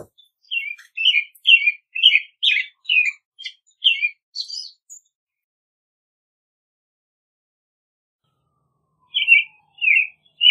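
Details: A lively string of about ten chirpy whistled American robin phrases, ending with a higher, thinner note, then a long silence before three more whistles close the passage.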